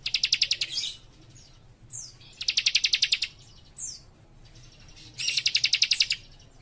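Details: Young cikrak sings busily, three long bursts of rapid, high, metallic notes, each introduced by a fast downslurred whistle, with short pauses between them.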